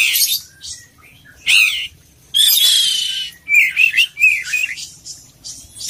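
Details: Oriental magpie-robin (kacer poci) in vigorous gacor song full of isian: harsh chattering bursts, a long buzzy whistled note, then a quick series of looping warbled slurs.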